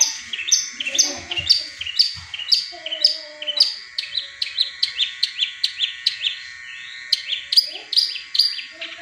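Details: Cendet, the long-tailed shrike, in a rapid volley of high staccato notes, about two per second, each a bright clipped chirp. Faint lower warbles appear early on. Meant as a lure for caged birds that have stopped singing.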